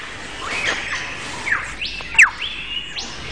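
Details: Male lyrebird singing a complex song to persuade females to come close and admire his plumes: clear whistled notes sweeping up and down, with sharp descending slurs and a loud rising whistle near the end.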